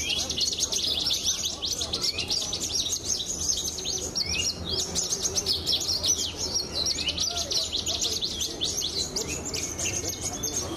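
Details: Competition Javan bush lark of the pied 'blorok' form, a Brenjes Mania best-of-the-best winner, pouring out an unbroken stream of sharp, high, fast-repeated chirps and buzzy trills, with a faint hum below.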